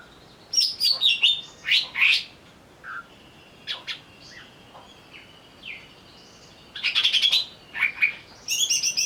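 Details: Greater green leafbird provoked into agitated singing, used as a lure: bursts of harsh buzzy trills and bright whistled slurs, a quieter stretch of scattered chips, then a renewed loud buzzy rattle.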